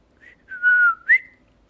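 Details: Pet cockatiel indoors, being taught to talk and sing: a short, clear whistled phrase. A brief high note is followed by a long level tone, then a sharp upward-sweeping note. The room is otherwise quiet.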